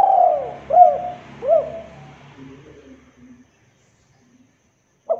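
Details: Local spotted dove call, played as a lure to get kept doves calling: three short cooing notes about half a second apart, each swelling then dipping in pitch, a pause, then one more coo cut off at the end.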